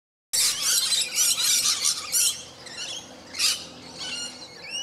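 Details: Rainbow lorikeets fighting: a dense burst of harsh, shrill screeches and squeals in rapid overlapping runs, easing after two seconds into thinner squawks, then one more loud screech near the middle and scattered chattering calls to the end.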